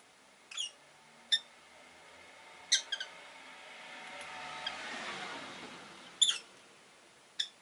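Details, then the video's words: Pet rosy-faced lovebirds, five kept in a cage by a window, give sharp, high squeaky chirps spaced a second or more apart, with a soft swell of passing traffic in the middle. "Lovebird Chirping Sounds"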